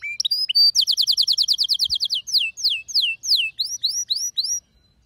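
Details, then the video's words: Domestic canary, a male's song with a female's call for mating: a few rising notes, a fast bright trill, then slower loud downward-swept whistles, finishing in upturned looping notes before silence. "صوت طلب إنثى الكناري التزاوج مع غناء فائق الروعة لذكر "canary""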